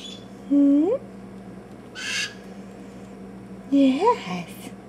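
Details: Blue-headed Macaw chicks, hand-raised and aged two to six weeks, give two short, rising, nasal whines about three seconds apart before feeding, with empty crops; brief scraping noises and a steady low hum are also heard.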